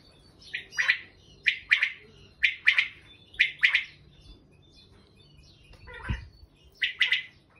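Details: Wild common quail (Coturnix coturnix) singing its liquid, clipped three-note 'wet-my-lips' phrase, repeated roughly once a second, with one low thump partway through.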